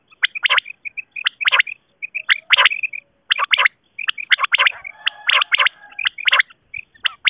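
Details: Common quail, said to be a female, used as a lure for night hunting and netting, gives sharp, liquid three-note calls, repeated about once a second in quick bursts; no other clear sounds.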